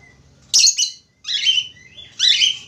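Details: Budgerigar song: three loud bursts of scratchy, buzzy chatter with sweeping whistled notes, separated by short pauses, the sound bright and high-pitched throughout.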